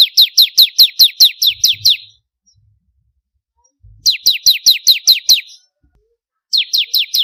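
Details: Vigorous bar-winged prinia song used for contest bird training: repeated bursts of quick, high, down-slurred notes, about nine per burst, separated by pauses, with occasional soft low thuds in the background.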